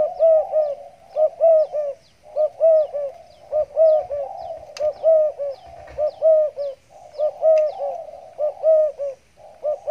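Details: Caged spotted dove in a hanging cage, stuttering "gagap" style cooing just after bathing: soft, low, rolling coos in halting phrases, repeated steadily about every second and a half, in a quiet setting.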